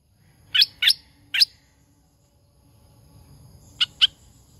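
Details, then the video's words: Caged hoành hoạch thơm laughingthrush used as a decoy bird. Three sharp high notes come quickly, then a pause and two more clipped chirps. "Hoành Hoạch Thơm Mồi Hót Líu Cực Đỉnh"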